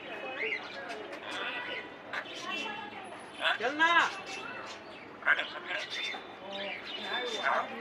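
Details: A grey parrot imitates human speech, saying "hello" in short, voice-like words with two louder bursts midway, over a low background murmur.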